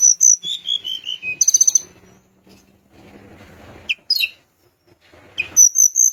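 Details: Sunda minivet singing vigorously, a song meant to provoke rival birds into calling: a high thin whistle falling in steps, a fast buzzy trill, then sharp rising upslurred notes and a final run of short high whistles, with a quiet pause mid-phrase.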